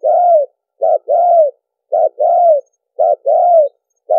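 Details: Spotted dove crowing played as a trapping lure: short low note then a drawn-out slightly falling coo, pairs repeated roughly each second; nothing else audible.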